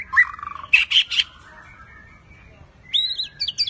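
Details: White-rumped shama in a singing contest delivers a bright whistled phrase, three sharp ringing notes in a row, a pause, then a burst of high, twisting, squeaky notes.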